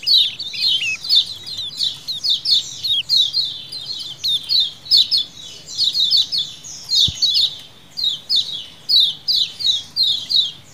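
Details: Colony of lemon-bellied white-eyes chattering in a wild-style lure recording: steady runs of high, thin, downward-sweeping chirps, many birds overlapping, with a single soft knock midway.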